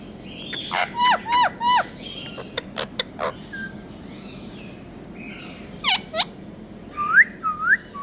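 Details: Rose-ringed parakeet from India giving a burst of four grating, falling screeches, then sparse clicks and soft chatter, a pair of harsh squawks, and two rising nasal squeals at the end.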